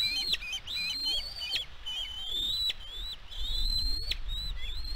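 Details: Bald eagle calling at a nest on California's Catalina Island, 16 May 2022: strained high whistles run together in long, wavering phrases, with a low rumble of wind or camera noise underneath.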